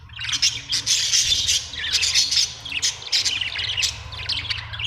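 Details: Budgerigar chirping almost without pause: busy, buzzy chatter with quick squeaks and clicks, over a low steady hum.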